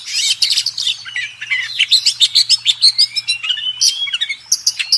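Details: Oriental magpie-robin (kacer), contest-winning master song: quick rhythmic string of sharp chips and warbled phrases with drawn-out whistles, over a faint low steady hum.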